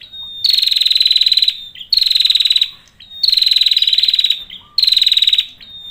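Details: Male prinia in full song, four strong buzzy trills each introduced by a sharp high whistle, the rattles stuttering rapidly and spaced about one and a half seconds apart.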